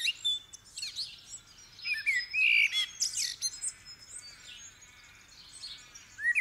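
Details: Blackbird in the dawn chorus, 8 December 2019: a short fluted warble rises and drops mid-clip, surrounded by thick high-pitched twittering and trills from other birds, with faint low rumble underneath.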